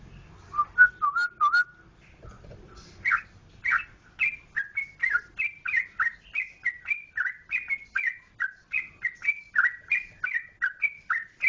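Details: Sooty-headed bulbul from Jogjakarta, opening with a few lower, mellow whistles. After a short pause comes a long, steady series of more than twenty bright, slurred whistled notes, spaced evenly about three per second, against a quiet background.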